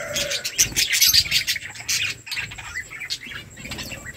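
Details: Budgerigar flock chirping while eating, fast repeated high chirps and buzzy warbles, loudest early then easing to softer chatter.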